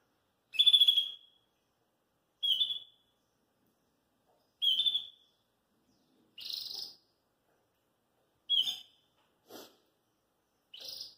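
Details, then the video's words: Belgian canary flying loose indoors outside its cage. Short, clear chirped notes are spaced about two seconds apart, with some that are sharper and brighter, in a quiet room. "ESTOU FELIZ COM MINHA SAÍDA e de ter cantado livre e solto"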